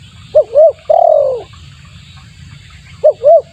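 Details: Lure call of a spotted dove: two quick hooded coos and a long falling coo, then a pause and the pair of short coos starting again, with a constant low background hum.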